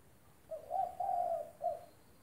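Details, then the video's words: Spotted dove (derkuku) in full vocal form, used as a training recording for doves that have stopped calling: a soft, low coo phrase of a short note, a long drawn note and a brief final note, in a quiet setting. "Derkuku gacor buat masteran tekukur macet bunyi"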